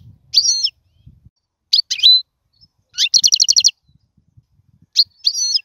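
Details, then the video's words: Short goldfinch phrases for teaching chicks to sing: separate bursts of high twittering, a fast evenly spaced rattle of about nine notes in the middle, then slurred whistled notes, with silence between phrases. "اسمع المقنين واعطي رايك فيه,افضل تغريد لتعليم الفراخ"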